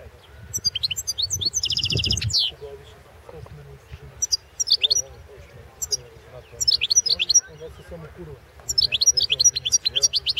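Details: Competition song of a European goldfinch, 2016 World Championship in Goldfinch Song: repeated bursts of sharp, high chirps and fast liquid trills separated by short pauses, with quiet human voices underneath.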